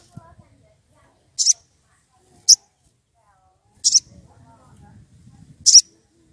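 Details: A wild sogon, agitated and seeking a rival, utters four piercing high chips spaced one to one and a half seconds apart, some doubled, with soft low murmuring in the background.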